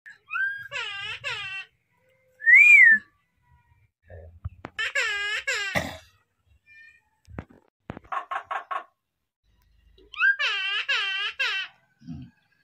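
Common myna giving wavering, wailing cries much like a sobbing baby in three bursts, with a clear whistle and quick chattering notes between; a person's voice briefly.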